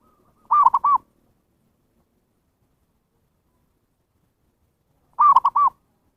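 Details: Lure call of a zebra dove for calling wild birds: two identical bursts of four rapid, soft cooing notes, separated by about four and a half seconds of silence, with no background noise.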